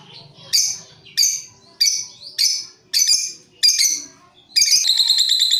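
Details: Lovebirds calling back and forth as a lure: sharp shrill squawks spaced about every half second, ending in a rapid continuous chatter.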